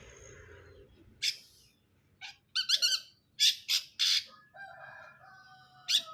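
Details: Harsh, rasping bursts from a long-tailed shrike, delivered in short clusters with quiet gaps, then a few thin drawn-out notes near the end.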